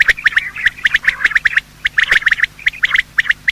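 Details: Male and female quail in morning call, used for quail hunting: a steady run of sharp, chirping notes in twos and threes, closely spaced, with a short gap midway.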